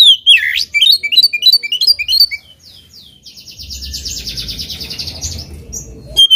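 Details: Oriental magpie-robin provoked into song against a rival: a quick run of sharp whistled notes and slurs for about two seconds, then a harsh, buzzy rasping series over low background rumble, ending with a brief note.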